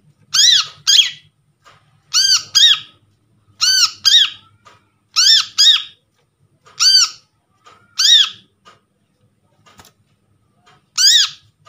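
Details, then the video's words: Brown-throated Sunbird calls used as a lure, recorded from trapped birds and meant to prompt silent birds to call. Loud, harsh arched notes, mostly in pairs, repeat about every 1.5 seconds over faint low room noise. "PANCINGAN BURUNG KOLIBRI KELAPA"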